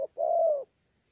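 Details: Spotted dove, a wild-caught mixed local bird, in Sa Thầy, Vietnam, November 2019, cooing in 'đấu' style with 'gù': one sustained, soft, low coo, slightly falling at the end, after a clipped note.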